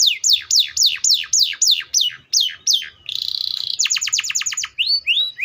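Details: Canary singing a loud varied song: fast repeated descending whistled sweeps, then a buzzy rattling trill, a rapid run of sharp notes and short rising whistles.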